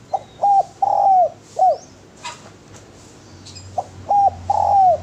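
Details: Mellow repeated dove phrases from a spotted dove (derkuku): two quick coos, a long drawn coo sloping down at the end, and a short final coo, sung twice with a brief faint tap between.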